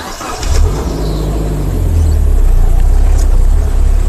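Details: A vehicle engine starts and settles into a steady low rumble, with faint hiss above.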